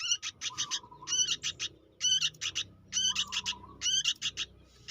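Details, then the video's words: Juvenile sooty-headed bulbul, busy and vocal, repeating harsh harmonic chirps in clusters of three to four, with steady low background rumble and a recurring flat whine beneath. "suara anak burung kutilang gacor"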